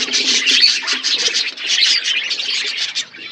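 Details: Loud chirping from budgies kept in an aviary in a forest environment, a thick wall of high, twittering warbles and squeaks pulsing in short bursts throughout.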